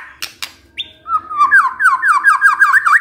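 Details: White-rumped shama lure meant to provoke a male to sing: a few sharp clicks and a short whistle, then a quick run of repeated looping slurred notes.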